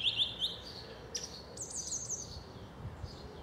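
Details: A song thrush in South England sings short, bright phrases: a quick repeated chirping note, then a high, thin trilled figure repeated a few times, over a soft outdoor hiss.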